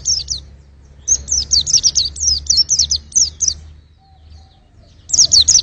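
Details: High, fast twittering from a white-eye: a short burst, a longer chattering phrase of sweeping chirps, a quiet gap, then another burst.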